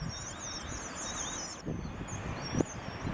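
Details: Red avadavat (strawberry finch): thin, very high wavering twitters run almost without break, with a fainter lower thread of notes beneath, over a low rumble of wind and background noise.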